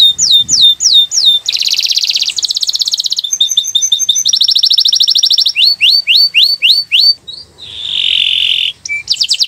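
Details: Atlantic canary song offered as training material to make caged birds sing: fast varied phrases with downslurred whistles, dense buzzy trills, rapid ticking rolls, upswept notes and a brief harsh burr, all high-pitched and loud.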